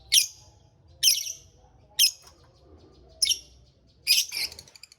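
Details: Caged lovebird in a small aviary calling with piercing, high, squeaky chirps repeated roughly once a second, five in all.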